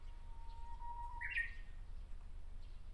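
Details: Japanese bush warbler in a tree at Miyakonojo, Miyazaki Prefecture, Japan. A long, low whistle rises gently over about a second and breaks into a short, bright, higher burst, set against steady low rumble.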